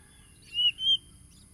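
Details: Oriental magpie-robin from Tulus Rejo village, East Lampung, Indonesia, recorded by phone on 30 July 2022 as a lure for caged birds: a brief pair of clear, slightly wavering whistled notes.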